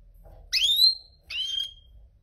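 A goldfinch mule sings two short, bright phrases, each a rich, slightly buzzy note that slides down and levels into a thin whistle; the room is otherwise quiet.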